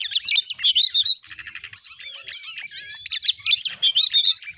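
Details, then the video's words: Loud, energetic Oriental magpie-robin (kacer) song in a clear masteran recording. Dense rapid chirps and whistles are interrupted midway by a harsh, buzzy, sustained rasp, then the quick varied notes resume. "Masteran burung Kacer AUDIO JERNIH BUAT ANGKAT EMOSI AGAR CEPAT ON NGOBRA,Kacer gacor"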